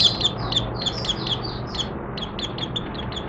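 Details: Oriental white-eye (Mata Puteh Raja) opening its song, 30 August 2022, with new white feathers nearly fully pigmented; thin, high chirps in a quick series, partly masked by a steady low rumble and hiss.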